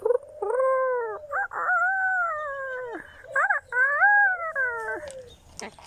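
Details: A male pet cockatoo displaying outdoors in the warm sun, likened to a rooster, gives long, wavering, harmonic wails with brief breaks between them, rising and falling over about five seconds, while a person talks nearby.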